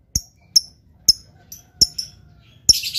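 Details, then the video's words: Lovebird making a few isolated, sharp, high chirps spaced about half a second apart, ending in a brief rough burst, each chirp with a soft click. "LOVEBIRD GAYA MEWAH. SEKALI BUNYi LANGSUNG YAUT.."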